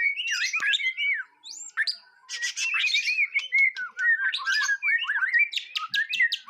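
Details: White-rumped shama on its first composure test, delivering a lively jumble of looping whistles, rapid chirps and harsh scratchy bursts in quick succession, with short pauses between phrases.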